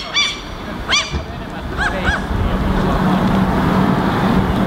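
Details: Two Eurasian jackdaws (Corvus monedula) feeding on grass seeds and turning over moss clumps on the ground, Helsinki, Finland, July 2015: four short, sharp 'tchak' calls in the first two seconds, then steady rumbling background noise with a faint hum.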